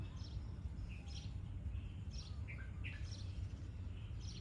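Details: Red-whiskered bulbul being trained, giving a steady run of short whistled and slurred notes, some rising and some falling, spaced under a second apart over constant low-pitched background noise.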